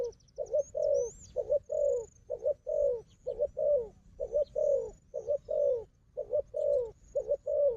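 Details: Wild fighting dove and its strong decoy: regular rhythm of low coos, each cycle a clipped double note and a longer falling coo, repeating steadily, with only faint high bird whistles.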